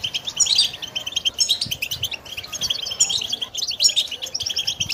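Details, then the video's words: A goldfinch sings a fast, continuous stream of high twittering and tinkling notes with buzzy trills, without pause; the song is offered for training captive goldfinches. "Song Goldfinch"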